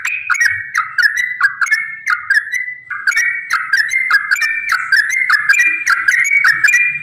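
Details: A yellow-vented bulbul pours out a long, fast song, used as a lure so other bulbuls start singing: warbling, slurred notes in quick phrases with a brief break near the middle, then continuing.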